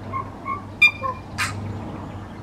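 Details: Tui calling from a cabbage tree about 4 m above a driveway in dense suburban housing, near a native vegetation corridor to Eskdale Forest: soft paired hooting notes, a sharp click, then a brief rasping burst over a low background hum.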